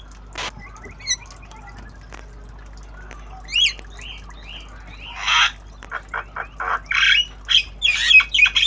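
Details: Javan myna learning sounds, tame and chattering in obyogan fashion: sparse clicks and a few whistled notes first, then rapid harsh squawks and short whistles quickening toward the end.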